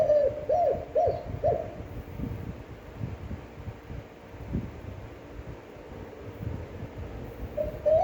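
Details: Spotted dove cooing in a standard, long-breathed voice, used to stimulate decoy doves and for daily training. Four soft, low, hollow coos come in quick succession, followed by rustling background noise, with one more coo at the very end.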